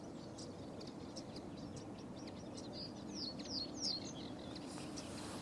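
Cetti's warbler bursts out with a loud, abrupt run of three or four ringing notes, over soft chirps and a steady low rumble.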